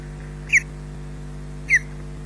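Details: At Loch Garten an osprey makes a brief return to the nest: a pair of sharp, high, downslurred whistled chirps spaced just over a second apart, with constant low hum beneath.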